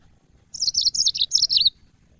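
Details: Yellow-fronted canary song used for training cage birds: a slightly longer run of rapid, high, twittering notes in small groups, drifting downward and ending in a thin trailing note, over a faint hum.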